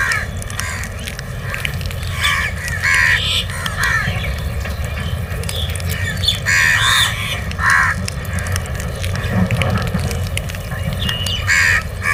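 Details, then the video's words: Crow calls for food during feeding: hoarse caws spaced a second or two apart, some doubled, with a low rumbling background and occasional small-bird chirps. "Crow Sounds For Food"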